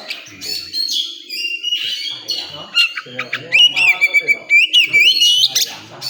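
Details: Oriental magpie-robin singing at a contest venue, pouring out rapid varied whistles, trills and fast repeated notes, ending in a sustained whistled phrase that wavers, over murmuring human voices.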